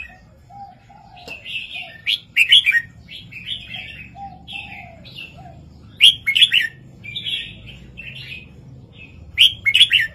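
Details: Red-whiskered bulbul master song in southern 3-4-5 style, played to excite other birds: warbled, chortling phrases repeated about every three seconds, loud rich bursts at intervals, with a softer low whistled phrase underneath.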